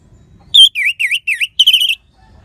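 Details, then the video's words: Anis merah, the orange-headed thrush, singing a crisp phrase meant to prompt sluggish birds to sing: one high whistle, three swooping buzzy notes dipping and rising, then a quick trilled ending, clean and loud. "Gacornya ANIS MERAH Suara Kristal Bagus Untuk Pancingan Burung Lemas ataupun Macet Dijamin Ngelawan."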